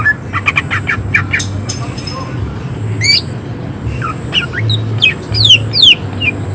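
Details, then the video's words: Greater green leafbird in rough, high-emotion 'tembakan' song: rapid sharp chirps at first, then loud sweeping downslurred whistles and clipped notes in an irregular rhythm, with a steady low drone behind. "Cucak ijo gacor tembakan suara kasar emosi tinggi"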